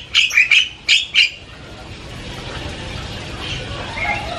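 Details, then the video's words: Javan myna chattering loudly, giving five harsh, grating squawks in about one second, followed by quiet background noise with faint distant bird notes. "SUARA JALAK KEBO NGOCEH KERAS BERBAGAI VARIASI BUNYI"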